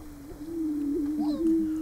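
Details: Greater prairie-chickens booming at a lek in Nebraska in March, part of the males' mating display: a steady, low, hollow hooting drone with overlapping moans swelling and dipping, plus faint higher notes.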